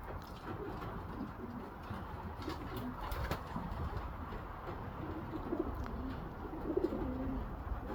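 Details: Young racing homer pigeons cooing softly, low rolling coos scattered through the clip under steady background hiss and a few clicks.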